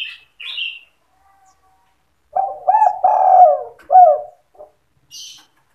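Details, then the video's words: Deep stuttering coo of a spotted dove used to lure birds into traps, 'sandung kuk' style: hiccuping lead notes, a long rolling coo and a short final note, with high chirps from another bird before and after. "SUARA PIKAT BURUNG TEKUKUR DERKUKU GACOR SANDUNG KUK 2"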